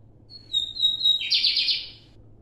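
A lined seedeater sings a high, clear whistle that slides down slightly, then breaks into a rapid buzzy trill, all within about two seconds.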